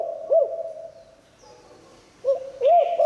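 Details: Spotted dove with a 'liu tan' call, kept to lure wild doves. A single low coo, then a quiet gap and the start of another cooing phrase. A faint buzzy sound is heard near the end.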